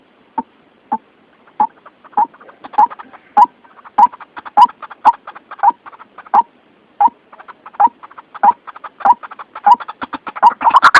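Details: White-breasted waterhen lure call used for trapping, said to be clear and natural as in the wild: a steady series of short, croaking mid-pitched notes about every half second, with fainter extra notes in between and a louder jumble at the end.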